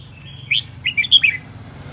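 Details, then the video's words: Caged red-whiskered bulbul decoy in an aggressive, agitated state, giving a single quick phrase of loud, clear whistled notes rising and falling. "Chào mào mồi hót cực hay, hung hăng quay cuồng"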